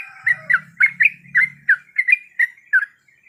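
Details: A breeding female sooty-headed bulbul calls for a male. About ten clear, slightly slurred chirps repeat at an even pace for three seconds. A faint low hum fades out partway through.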